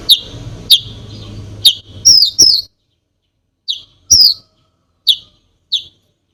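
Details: Konin calling in loud, clear, high chirps and falling whistles, widely spaced with clean silent gaps; the song is meant to provoke other birds.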